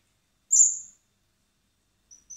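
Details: One common blackbird chick being hand-fed in spring at a recovery centre calls a single thin, high, drawn-out squeak, then falls nearly silent except for faint tiny peeps.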